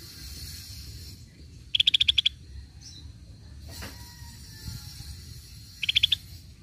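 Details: Cream-vented bulbul lure sound: two short bursts of rapid, evenly pulsed high chips, about seven notes each in half a second, separated by a pause. Faint low background hum.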